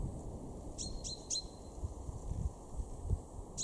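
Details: In a Weener garden in East Frisia, Germany, March 2023, a male common chaffinch gives three crisp, high 'pink' notes in quick succession, each falling sharply and ringing briefly. A soft low hum lies underneath.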